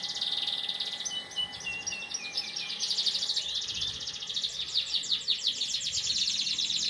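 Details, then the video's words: Caged canary singing in the morning in Indonesia: fast rolling trills and sweeping high phrases, shifting between rapid pulsed rattles and smoother runs, with a faint steady hum underneath. "Canary singing white morning cofe.."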